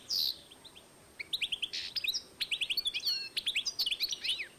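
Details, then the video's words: European goldfinch crossed with canary, recorded 2012: a harsh opening note, then a lively string of sharp high chirps and twisting whistled slurs, quick and uneven, in a quiet setting. "2012 European goldfinch X Canary"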